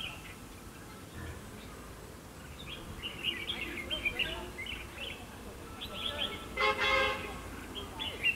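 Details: Red-whiskered bulbul at a fighting trap, singing as a decoy: quick chirpy whistled phrases building up, then a brief loud harsh horn-like blast and more warbling notes.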